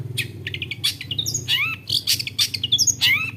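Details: Long-tailed shrike, known for copying various other birds' sounds, in a fast varied medley of chattering, squeaky whistles and slurred rising and falling notes; low hum underneath.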